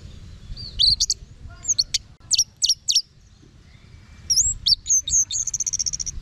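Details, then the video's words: Varied orange-headed thrush phrase: sharp strokes and wavering whistles, a short gap, then more whistles ending in a fast high trill. "Guru Vokal ANIS MERAH Agar Selalu Ikut Nyaut Ngeplong di Rumah"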